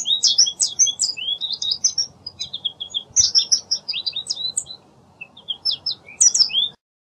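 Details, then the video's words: Lively American goldfinch song: bouts of quick, high twittering and thin slurred whistles, a brief lull near the five-second mark, then more chirps before it stops, over a soft background hum. "American Goldfinch Song! American Goldfinch Call! - Jilguero Americano canto"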